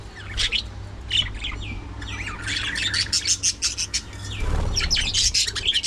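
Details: Budgies at early morning feeding time chattering busily: dense warbled chirps and squeaky notes run almost continuously, with a brief low thump midway and a steady low background hum.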